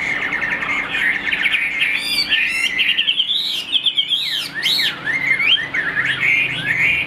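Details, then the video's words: Caged Chinese hwamei, noted for its quick beak and excellent voice, starts with buzzy rapid trills, then breaks into wide swooping whistles that leap high and drop, ending in fast chattering phrases. "Tốc độ mỏ quá ok, đầu mặt đẹp chất giọng cực kỳ hay | Họat Họa Mi"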